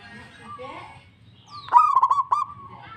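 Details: Local zebra dove singing readily in reply: soft warbling notes open, then a sharp rising onset leads into a rolling, throaty coo phrase with quick stuttered breaks.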